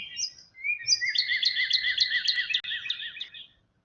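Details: Northern cardinal song: a brief high note, then a fast run of bright, slurred whistles, about five a second, for nearly three seconds, over a faint low background hum.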